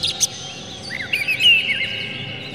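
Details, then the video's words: Oriental magpie-robin, agitated with tail open, singing to provoke rival magpie-robins. A sharp chip, then looping whistled slurs that rise and fall, ending in a sustained thin whistle over faint background hiss. "dijamin kacer langsung ngamuk2 dengar kacer ini bongkar emosi buka ekor ngobra full isian"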